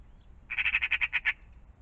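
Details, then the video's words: In the morning, in and around a pond, a magpie gives a short burst of rapid, grating chatter: about nine harsh pulses in under a second, against a quiet background. "Magpies in the morning"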